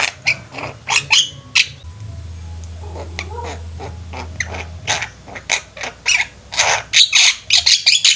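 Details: Javan mynas kept as a flock and singing: rasping squawks and chatters, a quieter spell with a low droning hum in the middle, then faster, denser calling toward the end.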